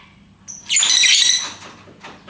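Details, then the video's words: Lovebird letting out one loud, harsh, buzzy squawk of about a second, preceded by a thin whistled note and followed by softer scratchy chirps. "Bagaimana cara agar Love Bird mau Ngekek"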